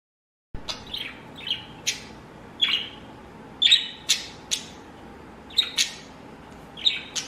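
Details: Blue pet budgerigar giving short, bright chirps and squeaky chattering notes, spaced irregularly about every half second to second, with quiet indoor background between calls.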